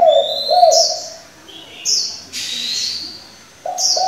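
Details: Spotted dove decoy bird switching voices to stimulate and train young doves: low, hoarse cooing phrases at the start and again near the end, with high thin chirps and whistles from other birds in between.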